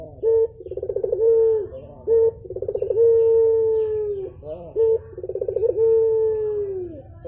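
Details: Javan turtle dove, known locally as puter, calling actively in the morning. Low purring coos with a rapid pulsed start, then a long steady note sliding slightly down, repeated in bouts with short clipped notes between them.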